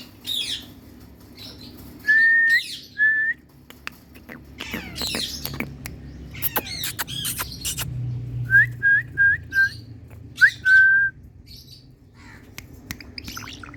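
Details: Indian ringneck parrot kept as a pet, in a happy mood, giving short flat whistles and a quick series of four clipped whistled notes, with scratchy squawks and clicks between them over a low hum.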